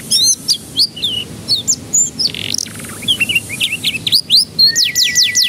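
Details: Canary song played as a lure to get young canaries to start singing: bright, varied whistled phrases, quick chirps and rising notes, ending in a fast series of sharp descending sweeps over a steady high tone.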